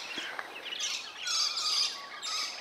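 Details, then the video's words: Two scaly-breasted lorikeets fighting in a major disagreement: harsh, shrill screeches in overlapping bursts in quick succession, with a few thin whistled notes woven through. "Scaley-breasted Lorikeets fighting"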